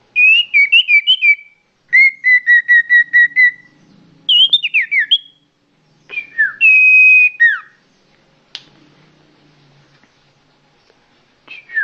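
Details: Common iora lure call, clear and loud: varied bursts of high whistled notes, a fast run of repeated even chirps, down-slurred whistles and a held whistle, with pauses and a faint low background hum.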